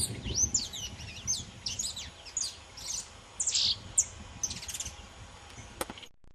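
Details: Saffron finch (Sicalis flaveola pelzelni) singing loose: a quick, uneven run of sharp, high chips and short slurred whistles, several per second, over a faint low rumble.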